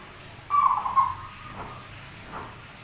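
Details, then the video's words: Rare zebra dove with a strange yet persistent song: a loud rolling coo of two throbbing pulses, trailing into a soft sustained tone with faint later echoes. "PERKUTUT SUARA ANEH TAPI GACOR"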